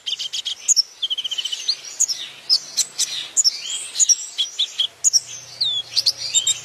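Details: Sunbird song recorded as a training track for other songbirds: rapid high chirps and a fast dry trill, mixed with short upward and downward whistled sweeps, delivered in a busy, continuous stream.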